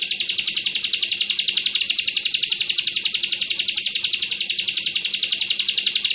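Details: Bar-winged prinia tutor recording in the dense 'bren' rapid-fire style, used for teaching pleci birds. It is an unbroken, shrill, rattling trill of evenly spaced high pulses, nearly four per second, throughout.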